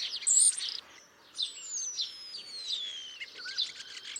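Starlings chirp in a busy, high jumble: squeaky notes and clicks, plus long thin whistles that slide downward, with several birds calling over one another.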